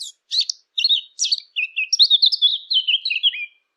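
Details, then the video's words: Eurasian blackcap song recorded for hunting callers: a run of quick, varied warbled notes, some fluty and sliding, others scratchy, rising into a busy, continuous chatter in the second half, with no other sounds. "صوت التيان او عصفور التين"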